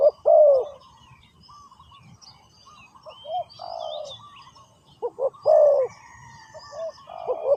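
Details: Spotted dove calling as a decoy to lure wild doves during ground trapping: loud, low, hollow coos in bursts about every two to three seconds, with softer intermediate notes and faint high chirps from other birds.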